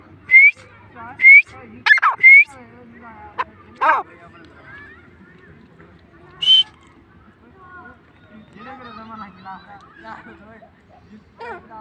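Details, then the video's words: A francolin (teetar) gives loud, short, rising whistled notes in an irregular series, then falls quiet while soft voices and murmuring carry on behind. "Teetar ki awaz/ Teetar sound/Teetar voice/ Teetar ki boli"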